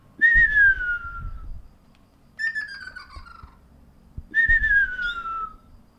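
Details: First ruddy kingfisher calls of 2019, recorded 12 April as birds answer each other: three loud, falling, rolling whistles in steady alternation, each lasting over a second, with some low knocking sounds beneath.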